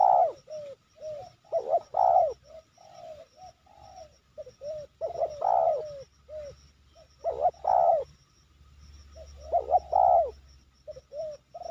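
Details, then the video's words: A wild Spotted Dove near Sibolangit, a strong cooer targeted for trapping with decoys, coos in soft, low, hoarse phrases of several notes, each rising then falling, repeated steadily with short pauses. "Tekukur ini Menguku Tanpa Henti"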